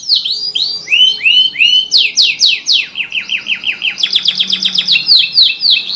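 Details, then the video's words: Canary singing to stimulate non-singing canaries: series of bright whistled slurs, some rising, some falling, delivered rapidly, shifting into quicker repeated downslurred notes and high sweeps. "TERAPI PANCINGAN KENARI MACET | CANARY SINGING"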